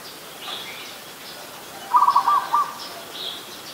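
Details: Adult zebra dove, Ubon Ratchathani, Thailand, on 24 December 2020, delivers one rapid, rolling series of soft coos ending in a separate note, while other birds chirp faintly at higher pitch.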